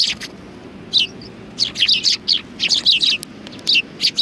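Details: Several sparrows perched on a bench at a Tenmangu shrine, Japan, on 30 January 2020, giving bright, high chirps in short bursts, clustered in quick runs after a brief opening pause, with a faint low background hum.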